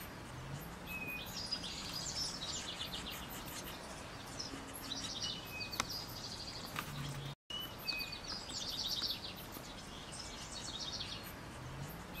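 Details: A small flock of pine siskins in a backyard in summer, where they are rarely seen, keeps up high, thin twittering with scattered buzzy notes over a soft low rumble and steady background hiss.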